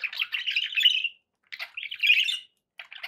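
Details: Budgerigars kept as pets give a long buzzy warble, go quiet, then return with a scratchy burst and another drawn-out chattering phrase.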